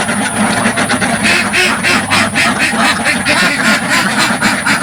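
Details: Dozens of farm ducks in a village pen, recorded from right at the front: a dense, loud chorus of harsh nasal quacks overlapping in rapid bursts, about four per second, with no music or talking.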